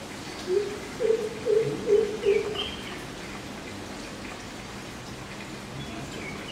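A greater coucal gives five deep, booming hoots in quick succession, about two a second, over a steady rain-like hiss with faint higher chirps.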